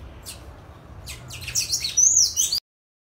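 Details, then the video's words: Sayaca tanager free in nature: a few faint ticks, then a rapid squeaky high warble building in loudness before cutting off abruptly. "SANHAÇO CINZA CANTANDO SOLTO NA NATUREZA LINDO CANTO DO SANHAÇO CINZENTO"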